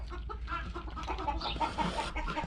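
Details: Several backyard chickens, very vocal that day, cluck in short, repeated, mid-pitched bursts over a steady low rumble of background noise.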